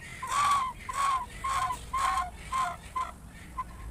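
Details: Many farm chickens, surprised by a noise while eating their meal, give a series of six short, tonal, harmonic-rich calls, each about half a second apart, holding a steady pitch and growing quieter and shorter toward the end.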